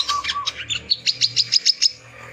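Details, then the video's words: Brown-throated sunbird male challenging rivals: a short burst of about a dozen piercing, high chirps at an even quick pace, preceded by a few lower notes. "SUARA BURUNG WICEH JANTAN _KOLIBRI KELAPA GACOR"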